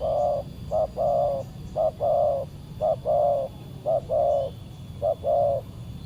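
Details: Spotted dove (tekukur), a fierce wild bird, cooing during a Saturday decoy-trapping session: low, mellow coos in pairs, a short note then a longer one, repeated roughly every second, over a steady background hiss.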